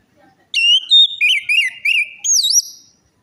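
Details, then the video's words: Orange-headed thrush lure song for a silent or stressed bird: a sequence of clear, wavering whistles, some sliding up and down, ending on a higher looping note. "pancingan Anis merah macet bunyi,males bunyi atau stres"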